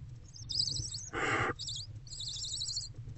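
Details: Barn owl mother with her older owlet in a nest box, bonding before dawn on 20 February 2024 around 4:41 to 4:46 am; one short, harsh, hissing screech in the middle, with faint high warbling and low rumble around it.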